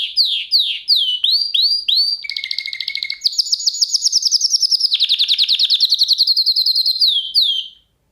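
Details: Canary singing a song lesson meant for canaries: curved whistled notes, then a low buzzy trill, a long high rapid rattle shifting pitch, and repeated rising whistles to finish.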